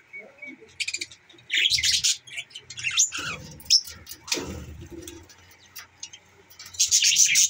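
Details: Budgerigars giving scattered high chirps and squeaky warbles in short bursts separated by gaps, with low scuffling and thuds between calls.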